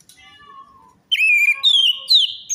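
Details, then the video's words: Orange-headed thrush singing to coax a silent or stressed bird: a soft low whistle first, then loud sustained whistled notes that waver and rise, ending in a bright upward slur. "pancingan Anis merah macet bunyi,males bunyi atau stres"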